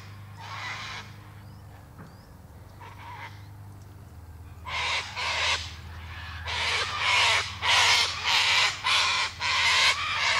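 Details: Scattered cockatoo squawks start the clip, then a rapid series of loud, rasping screeches comes about every half second, building toward the end over a low hum.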